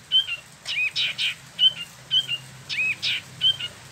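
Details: Wambi Mini, the Indonesian name for the Spot-throated Babbler, caged in West Java, alternates short level whistles with rougher, downslurred notes in an uneven rhythm.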